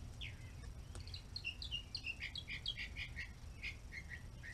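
Red-bellied woodpecker giving a quick series of short, bright, down-slurred chirps, about three per second, over a low rumble of background noise.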